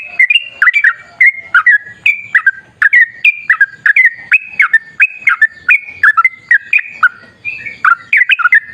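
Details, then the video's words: Sooty-headed bulbul in full 'gacor ropel' song, the wild-style recording played to make bulbuls answer: a steady stream of stepped, liquid whistled phrases, each note jumping between higher and lower pitches. "Suara trucukan gacor ropel ngalas"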